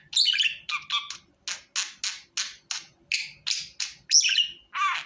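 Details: Budgerigar calling, used for bringing a budgie to the hand: a string of about a dozen short, scratchy chirps at a steady pace, roughly three per second, ending with a sharper squeak and a buzzy note.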